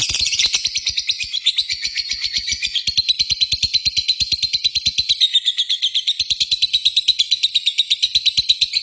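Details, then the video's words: Extended ngekek trill from a lovebird: a sustained, machine-gun-like run of shrill rasping notes for nearly nine seconds, even in pace and volume. "Pancingan suara burung Lovebird ngetik memanggil di lanjut ngekek panjang"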